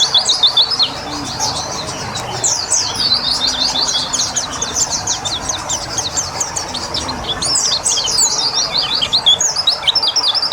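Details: Water therapy for a white-eye to speed its singing: a dense, steady stream of thin, high chirps and slurred notes throughout, a faint low hum behind.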